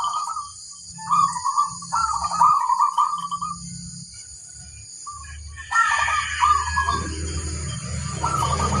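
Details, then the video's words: Zebra dove of a local strain, said to have a big voice, gives rolling trilled coos in short bursts early on and again later, while a rising low rumbling noise fills the end. "Suara burung perkutut suara paling besar - istimewa mengundang"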